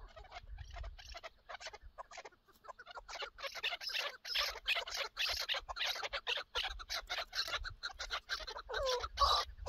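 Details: Partridge hunting scene with a chukar partridge giving rhythmic, raspy clucks that build from sparse notes into a quick, steady chatter of two or more per second, with light low background noise.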